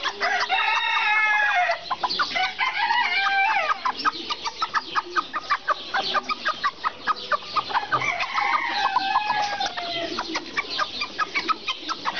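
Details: Serama chickens in a busy flock, with rapid, choppy clucking notes packed closely together and a few longer harmonic calls rising above the clatter.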